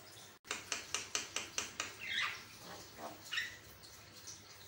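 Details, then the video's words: Varied Javan myna song, recorded as a master for teaching mynas: a quick series of seven or eight evenly spaced dry, clicking notes, then softer rasping phrases and a brief whistled note, with a steady low hum underneath. "Gacor tingkat dewa, jalak kebo langsung beraksi dengan Kicauan burung jalak ini"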